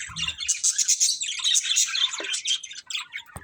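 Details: Pet budgerigars in a family group give a lively stream of high, bright chirps and warbled twitters, with a few soft taps.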